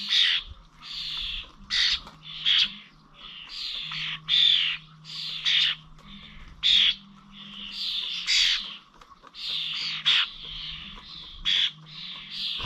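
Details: Common starlings at the Corby Old Village feeders, 21 November 2023, with a busy series of short harsh squawks and buzzy rasps, many birds overlapping at irregular intervals, a soft low hum underneath.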